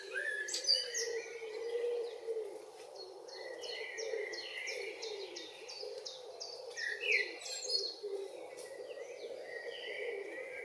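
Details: Common blackbird singing on a June evening in northwest Zealand, Denmark: varied warbled and fluty phrases with rising and falling notes, interleaved with higher thin repeated notes, over a steady low hum.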